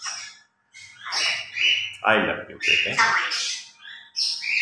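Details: Kept grey parrots at morning play, a pair mimicking human speech: rough, voice-like syllables mixed with squawks and brief whistled notes in an irregular stream.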